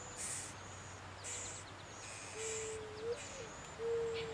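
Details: Two song sparrow nestlings, fed by both parents in a nest in a Norway spruce in the Great Smoky Mountains, give high, hissy begging bursts about once a second, with a low steady hooting tone underneath.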